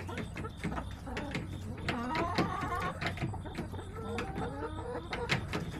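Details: Several backyard hens on September 21, 2024 clucking and murmuring in short, overlapping phrases, with brief rising notes and occasional sharp clicks over a low steady hum.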